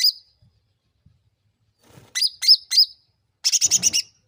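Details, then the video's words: Sooty-headed bulbul lure sound to draw replies from other birds. One high chirp, then three bent, whistled chirps, ending in a quick rattling burst of six rapid, buzzy notes. "SUARA CUCAK RANTING MEMANCING NGOTOT PALING CEPAT NYAUT"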